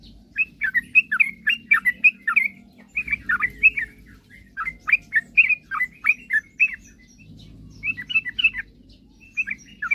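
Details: Sooty-headed bulbul delivering a spirited song to spur rivals into singing: bursts of quick chirpy whistles in dense clusters separated by short gaps, over low background hum.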